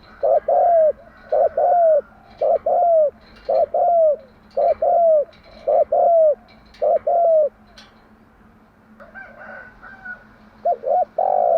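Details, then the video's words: Spotted dove's morning cooing, a patterned song used to lure and train doves: about nine loud, falling coos repeated roughly once a second, a pause with faint whistles, then two more coos. "Tiếng chim gáy bài bản gáy buổi sáng"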